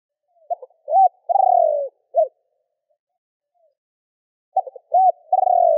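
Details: Spotted dove calling to provoke other doves: two phrases, each a few stuttering short notes, an arched coo, then a long, purring, slowly falling coo, with a further arched coo after the first phrase. Quiet gap between them, no other sounds.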